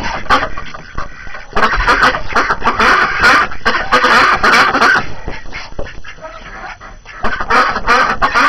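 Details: Hungry ducks let out on a snowy January morning after being shut in, giving busy bursts of harsh quacks, several overlapping, with brief quieter pauses between volleys.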